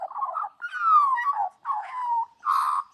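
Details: Magpie that has become aunty to a litter of five puppies, protective and playful, singing them to sleep: mellow warbled phrases of gliding, falling whistled notes in four short bursts, with a quiet background.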